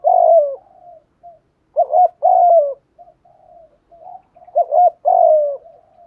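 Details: Low cooing of a spotted dove used as a lure for other doves: a long falling coo, then two more phrases of a short doubled note and a drawn-out descending coo, with soft murmurs in the gaps.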